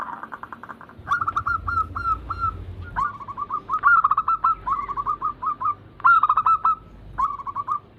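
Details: Group of caged zebra doves cooing to stimulate reluctant birds to sing. Short bursts of rapid repeated notes at an even mid pitch come from several birds, alternating and overlapping, with brief pauses between phrases.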